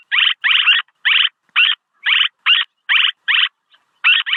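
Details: Rapid swallow chirping from a lure recording: dense buzzy notes, several a second, some run together in doubled bursts, with a brief pause near the end.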